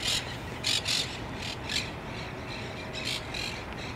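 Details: Monk parakeets at the Green-Wood Cemetery arch on 1 February 2014 give harsh, grating squawks in short bursts, about one a second, over a low rumble of distant traffic.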